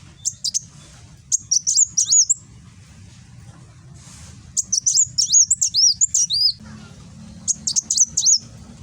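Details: Kolibri wulung (Van Hasselt's sunbird) from Gresik, East Java, phone-recorded, giving nembak song meant for tutoring cage birds: clusters of sharp, very high twittering whistles with short dips, in three bursts separated by pauses.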